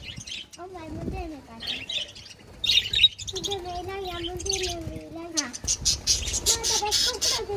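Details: Pet budgerigars chirping: bright, rapid high tweets in short bursts, mixed with lower warbling, wavering notes that rise and fall. Several birds overlap throughout.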